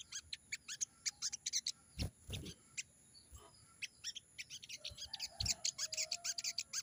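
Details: Crimson sunbird, wild 'ngalas' song meant to draw replies from newly caught birds. High, rapid chattering notes come in bursts, interrupted by several loud low thumps and knocks.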